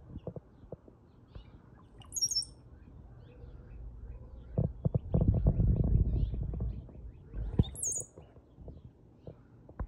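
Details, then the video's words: Two thin, very high, slurred whistles from a brown-headed cowbird, several seconds apart, over heavy low wind rumble and handling noise. "Brown headed Cowbird"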